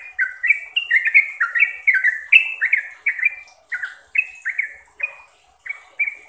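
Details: Trucukan song of the sooty-headed bulbul for training caged birds: fast run of clear, downslurred whistles, some in pairs, spacing out toward the end, with faint high buzzy overtones.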